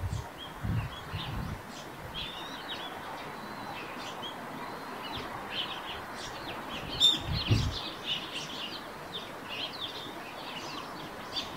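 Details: Eurasian tree sparrows singing near their nest on a roof: quick, irregular high chirps and twitters, often overlapping, over steady background hiss with a few low thumps.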